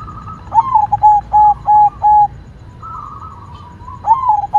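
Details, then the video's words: Actively singing white zebra dove: a rising opening coo, then four evenly spaced short notes, a brief softer tone, and a new phrase starting near the end. "Perkutut Putih Gacor Suara Mantul"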